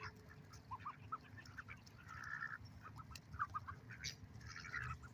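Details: Ducks at a lake give bursts of short quacks, some drawn into longer buzzy notes, with several birds calling at once over a rumbling background.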